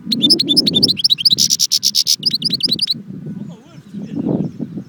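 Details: Song of a European goldfinch, Constantine, Jbel Wahch: three seconds of rapid tinkling notes and a harsh buzzy rattle, after which the bird stops and low murmuring voices and background noise carry on.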